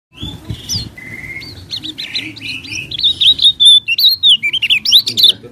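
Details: Common iora song used as a lure to make lazy caged birds sing eagerly: a rapid run of clear whistled notes, some long and level, others sliding up and down, growing louder and more varied toward the end, with faint low background noise.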